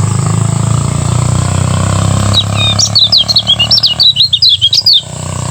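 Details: Lemon-bellied white-eye, Lombok, in a morning 'ngejos' training song: a low hum for two seconds, then a quick series of high thin twitters and trills for about two and a half seconds.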